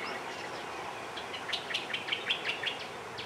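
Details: Grey-eyed bulbul on Ko Lanta, Thailand: a quick run of short, sharp chirps, mostly high and unevenly spaced, growing louder in the second half over a steady hiss of background noise.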